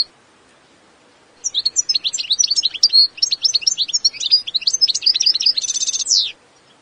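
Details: Wild Eastern European goldfinch, carduelis balcanica, delivering a long, rapid, high-pitched twittering phrase of varied chirps and trills, ending in a harsh buzzy rattle and a sliding note, with a quiet background.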